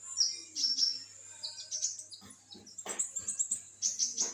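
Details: Olive-backed sunbird in full, energetic song. Shrill high-pitched trills and squeaky notes run almost continuously, ending in a quick series of piercing chips, with a few dry taps between phrases.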